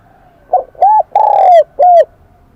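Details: Kim Đồng-voiced wild-caught spotted dove delivering one full cooing phrase: a soft opening note, a rounded coo, a long slowly falling note, then a final rounded coo.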